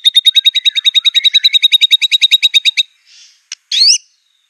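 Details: Aceh white-rumped shama master song for bird training: a fast, steady rattle of about twenty identical high chips over three seconds, then a short hiss, a click and a loud rising whistled note.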